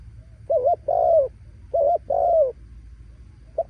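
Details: Spotted dove cooing in a voice described as stirring wild doves to coo loudly: two paired phrases, a wavering short coo then a longer, slurred, downward coo, repeated about a second apart, with a faint low rumble behind.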